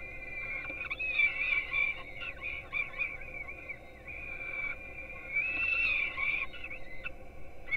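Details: Peregrine falcon young at a Gdynia, Poland nest, filmed by live camera at 4:21 am while being fed breakfast, give choppy, uneven begging screams, some held, some broken into rapid short wails.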